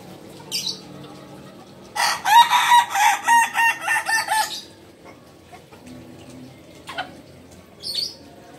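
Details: Kukuak Balenggek rooster, a native chicken of Solok, West Sumatra, crowing: a long, rough, stepped crow of about eight rapid pulsing syllables lasting over two seconds, then short faint high chirps from other birds in a quiet background.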